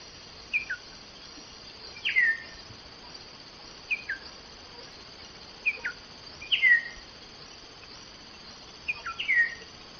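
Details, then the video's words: Common starling giving short sharp notes that slide downward, in small clusters every couple of seconds, with quiet gaps between them. "Скворец. Часть 2. Голоса птиц"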